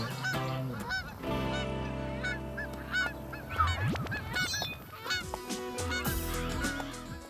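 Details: Several farm domestic geese give loud, nasal honks in irregular bursts, some rising and falling, over sustained background music.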